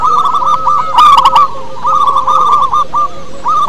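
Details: A captive local zebra dove in full song, used as a lure caller for other doves, gives low, rolling coos in quick runs of short notes, phrase after phrase, with a brief metallic rattle about a second in.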